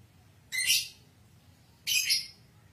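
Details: Lovebird, a fighter-type bird, used as a lure to get other lovebirds singing: two harsh, high, buzzy squawks about one and a half seconds apart, with quiet low hum between.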